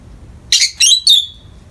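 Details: Peach-faced lovebird in morning light, indoors: three sharp, high chirps in quick succession, the last sliding down into a thin whistled tail.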